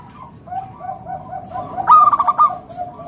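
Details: Local zebra dove singing to coax others into song. A run of soft, even cooing notes builds to a loud burst of quick, rolling coos, then the softer notes resume.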